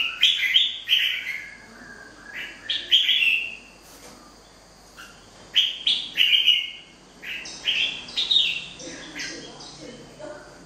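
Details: Wild-caught red-whiskered bulbul singing lively runs of quick, rich, slurred whistled notes in clusters, several phrases following each other with brief pauses, plus faint higher chirps in the background.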